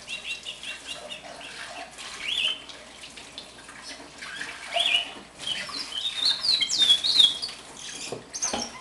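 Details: One-year-old caged house finch, hand-raised from the nest, singing scattered short chirps that build into a burst of bright, high, sweeping warbled notes. A young brown-backed solitaire warbles faintly in the background.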